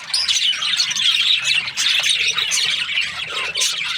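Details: Chirping from budgerigar breeding pairs, with harsh squawky notes mixed into constant high twitter; a few brief dips interrupt the dense chorus before it swells again.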